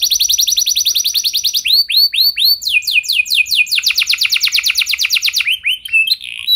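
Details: Canary song, a long gacor recording meant to prompt other canaries to sing: rapid repeated trills in shifting phrases, fast downward-sweeping notes, then rising hooked notes and quicker rattling rolls, high and continuous.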